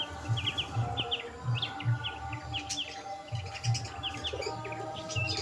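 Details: A budgerigar colony kept for breeding, with pairs starting to mate; short high chirps repeat in quick clusters roughly every half second over a steady low hum.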